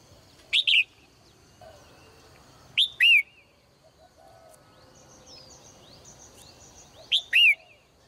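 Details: Caged female bird singing in the morning: three loud bursts of sharp, downward-sweeping two-part chirps, a few seconds apart, over soft background twittering from other birds.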